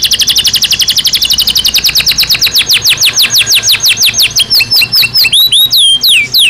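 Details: Canary in a cage in breeding season, its song a long rapid series of repeated high descending whistled notes gradually slowing, ending with a few clear looping slurs.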